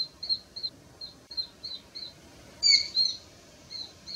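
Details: A fledged juvenile Japanese sparrowhawk gives what may be contact calls: thin, high-pitched notes about two a second, then a louder, harsher burst. Faint background hiss.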